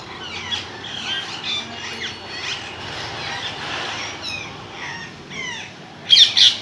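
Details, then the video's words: Parrot calling with a busy series of short chirps and descending whistled notes, ending in two loud, harsh squawks close together. "parrot sound.."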